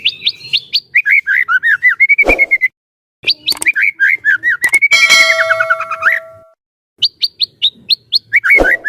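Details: White-rumped shama, Medan type, in prolific song used as a trainer for other shamas: rapid repeated whistled notes and downward-slurred phrases, with a brief ringing metallic tone mid-way and sharp clicks.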